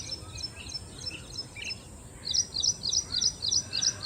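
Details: Ashy prinia song: faint repeated notes at first, then a clear run of loud, high, evenly spaced double notes about three per second, with a continuous high-pitched hiss in the background.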